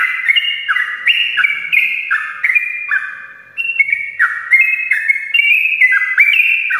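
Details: Morning song of a sooty-headed bulbul, played to lure lazy birds into singing: loud, rapid whistled phrases, each dropping in pitch, following one another almost without pause, with a brief quieter gap midway.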